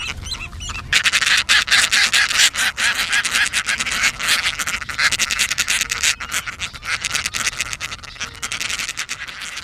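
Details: A dense, continuous chorus of harsh, rasping calls from many Caspian terns at a high-density nesting colony at Elkhorn Slough, California, squabbling over nest sites, overlapping in a raucous din with no clear pauses.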